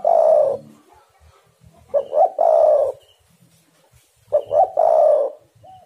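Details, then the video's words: Spotted dove cooing played to lure and excite other birds into singing; low hoarse coos, each phrase a short stuttered lead-in followed by a longer drawn-out coo, with pauses of about two seconds. "tekukur super gacor 1juta burung dengar suara ini langsung emosi"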